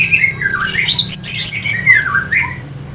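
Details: Orange-headed thrush (Geokichla citrina) singing to incite fighter birds: dense, squeaky and harsh phrases with fast chattering pulses and swooping whistles, fading toward the end.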